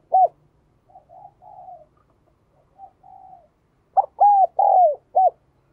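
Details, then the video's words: Spotted dove: one short coo, then soft, quieter cooing, then a full loud phrase of four hollow notes with two longer middle notes falling in pitch. "cu gáy"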